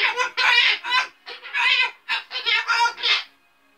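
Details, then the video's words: Ten-year-old female Umbrella Cockatoo kept as an indoor pet, known for swearing when it gets loud or she dislikes something; about eight harsh, raspy, word-like bursts in quick succession, each strongly buzzy and bright. "The Cussing Cockatoo"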